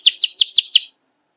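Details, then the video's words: Five rapid, sharp notes from a rufous hornero, evenly spaced over under a second, followed by silence. "Hornero Canto - Rufous Hornero Bird Song"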